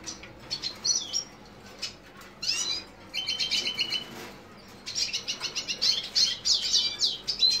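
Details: Lesser goldfinch, subspecies jouji: thin high chirps and short twittering notes, some in quick rising-falling series, with a brief steady buzzy run near the middle and dense chatter toward the end; faint background hiss.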